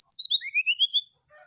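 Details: Brown-chested jungle flycatcher singing a flute-like sulingan song in the morning: clear whistles stepping down in pitch, then a rising run of about five slurred notes, ending in a faint soft warble.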